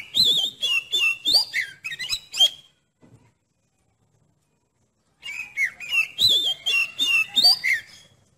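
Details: Oriental magpie-robin, singing to test another bird's nerve, gives a burst of rapid high whistles and buzzy chirps, falls silent for nearly three seconds, then resumes the same quick series.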